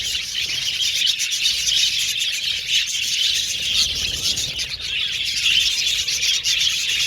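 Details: Many budgerigars in a colony aviary keep up constant high-pitched chirping and chattering song, a thick, even twittering with no breaks.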